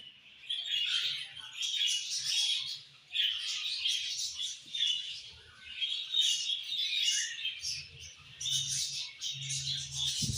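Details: Budgerigars chirping together in a dense, continuous high warble of twittering notes, with a low hum beneath near the end.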